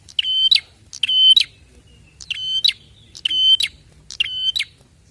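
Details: Prinia calls played as a lure to draw other prinias into calling: five buzzy, steady-pitched notes, each clipped by sharp ticks at start and end, repeated about once a second in a quiet setting.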